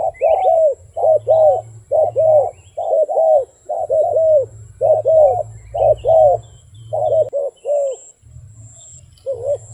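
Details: A wild dove gives quick repeated coos, often in pairs, about one a second, with a short break near the end; a low droning hum runs underneath.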